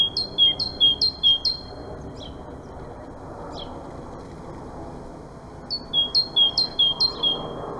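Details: Great tit in the UK sings two bouts of bright, ringing two-note phrases, 'teacher-teacher', about three per second, over a steady low rumble.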